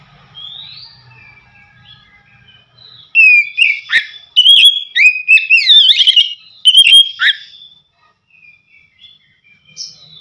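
An Oriental magpie-robin gives a burst of bright, varied whistled notes, a young bird calling to its parent.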